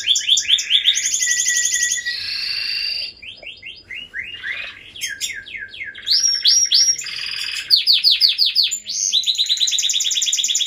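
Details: Canary singing a rich, varied song of rapid trills, rattles and swooping whistled notes, switching between buzzy rolls and bright chirps in quick succession, loud and close throughout with no other sounds.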